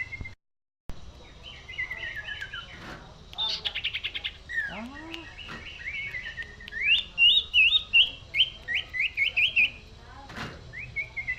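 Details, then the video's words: Common iora singing in an energetic cetrekan style: clear whistled notes and rapid trills. Short chattering phrases and downslurred chirps are followed by a fast, pulsed series of bright rising notes repeated about three per second. "Burung cipoh / burung cipeuw / burung sirtu gacor cetrekan"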